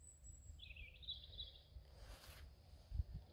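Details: A singing male willow warbler in Wykeham Forest, North Yorkshire, UK, gives a soft, sweet phrase that slides gently downward over about a second, over steady low wind rumble and a brief rushing gust.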